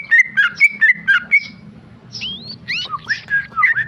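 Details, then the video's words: Tame male sooty-headed bulbul, a kept contest bird, in fast rapid-fire song: quick bursts of clear whistled notes, a pause, then rising and falling slurred whistles and more rapid phrases, loud and close. "Trucuk jinak ropel"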